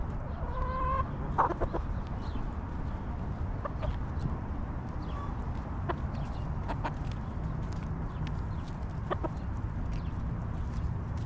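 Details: Backyard chickens in their coop; a sharp harmonic squawk early on, then sparse short clucks and pecking ticks over a constant low hum.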